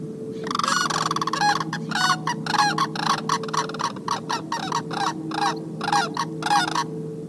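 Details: A few Sandhill cranes at sunset on the Mississippi River near Onalaska on 20 September 2018 give loud, rolling, rattling bugles in rapid overlapping bursts for about six seconds, over a steady low electrical hum.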